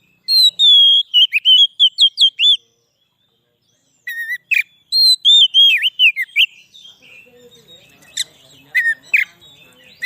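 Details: White-rumped shama song used as a lure for wild shamas: loud whistled phrases with rising and falling notes near the upper-middle range, several bursts with a short pause, then softer scattered chirps and faint background noise.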